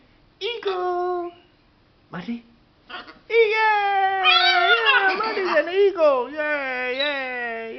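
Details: Pet macaw indoors in a small room, playing with its favourite towel: a run of loud, drawn-out, wavering tonal calls with rich overtones, some bending up and down, broken by a few harsher, raspy bursts and short gaps.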